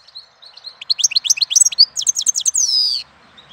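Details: Goldfinch singing in April: a fast, lively twittering run of high chirps climbing and repeated, ending in a drawn-out buzzy nasal note descending over about half a second.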